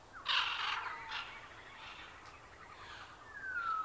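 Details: A Military macaw (Ara militaris) gives a loud, harsh, raucous squawk that falls in pitch, followed by fainter rasping notes and a thinner descending call near the end.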